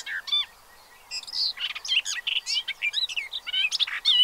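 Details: Pied avocets with chicks at Séné Nature Reserve, Gulf of Morbihan, 30 April 2023. A brief call, a short pause, then a quick run of high piping chirps and bright whistles from many birds.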